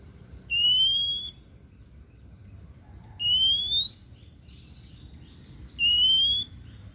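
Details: Kacer daput, the oriental magpie-robin, repeats a drawn-out upslurred whistle three times, roughly every two and a half seconds, with faint softer chirps between phrases and a quiet hum below.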